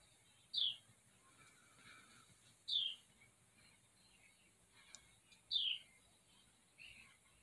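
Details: Wren nestlings, four newly hatched babies in a nest in a barn, summer afternoon of July 8, 2023: short, high, downward-sliding chirps repeated about every two to three seconds, with a few fainter notes between them over a steady background hiss.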